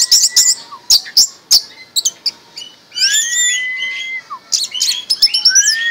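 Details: Caged orange-headed thrush kept since young, in excited 'mabok' song: bursts of high chirps, then a long slurred rising whistle beneath fast warbling, and more sharp chirps.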